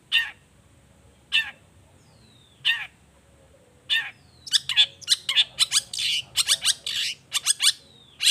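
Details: Long-tailed shrike singing: several well-spaced harsh rasping notes, then a quickening burst of scratchy chatter and brief whistles, ending with a rising whistled slur.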